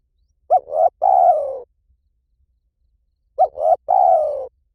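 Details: Two three-part coo phrases about three seconds apart from a spotted dove in the 'liu tan' calling style, used to lure a dove into calling back. Each phrase has a clipped opening note, a rising middle coo, and a drawn-out falling end.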